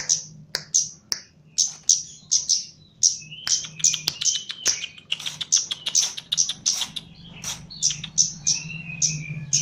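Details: Caged Javan Chestnut-capped laughingthrush under training sings in gacor style: bright high chips spaced roughly every half second at first, then a faster flurry of clicks and slurred whistles, ending with drawn-out descending whistles over low hum.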